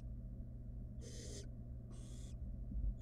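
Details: In its nest box, a wild barn owl nestling plays with prey brought by its mother and utters two rasping, noisy hisses close together over a steady low hum.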